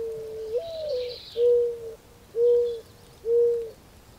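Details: Mourning dove giving its mournful cooing song: a rising slurred first coo followed by three steady low hoo notes about a second apart, with faint high chirps of other birds behind.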